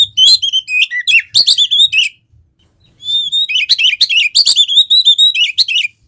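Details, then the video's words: Lively Oriental magpie-robin (kacer) song used to trigger singing: two long bursts of rich, varied whistles, rapid chirps and sharp clicks separated by a two-second pause, clean with little background. "PANCINGAN KACER GACOR MALES BUNYI"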